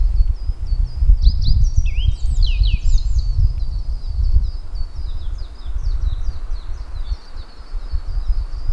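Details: Japanese yellow bunting giving a clear, high phrase of sliding whistles and quick falling notes early on. Faint repeated high chirps continue afterwards over low, rustling ground noise.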